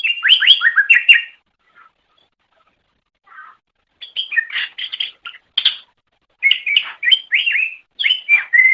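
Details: Cucak ijo (green leafbird) masteran song: bursts of rapid, sharply slurred whistled notes around mid-high pitch, broken by short silences, with scattered chattering phrases.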